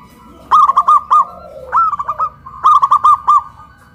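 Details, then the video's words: Caged local zebra doves raised on a pole in Kuningan, West Java, Indonesia, singing loudly in a duet of big and crystal voices: three bright phrases of rapid, bouncing coos, each of four or five notes, over quiet background. "PERKUTUT LOKAL SUARA BESAR VS SUARA KRISTAL"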